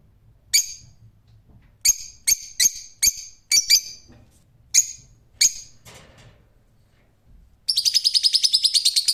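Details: Series of sharp, high screeches from a rose-ringed parakeet, irregularly spaced, followed after a short pause by a rapid rattling run of harsh notes.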